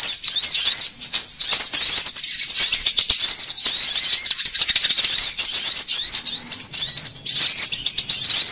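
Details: Bird-trapping lure of sunbird calls, also used to train caged birds; a nonstop mesh of high, squeaky upslurred chirps with little variation in loudness.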